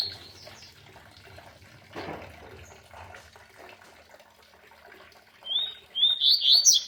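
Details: Double-collared Seedeater singing with waterfall sound: near silence with soft clicks and a brief rustle, then a loud, high, rapid warbled phrase of sharp rising and falling notes in the last second and a half.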